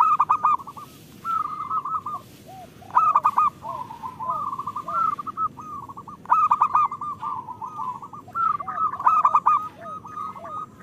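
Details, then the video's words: Overlapping songs of several local zebra doves from Indonesia, used as a lure for lazy birds; continuous trilled coos with repeated louder stuttering bursts roughly every three seconds and soft lower notes beneath. "Perkutut lokal gacor Pancingan Jitu 💯% Ampuh"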